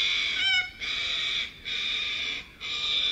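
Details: Little corella among a huge foraging flock in suburban Melbourne; three long, loud, harsh screeches, each about a second, separated by short pauses.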